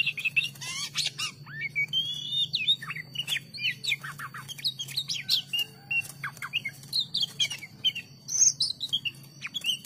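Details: An Oriental magpie-robin (kacer) sings at length, a lively hobby-keeper's songbird: rapid mixed phrases of whistles, slurred notes and clicking chips, broken by short gaps, with a high steady tone and low hum throughout.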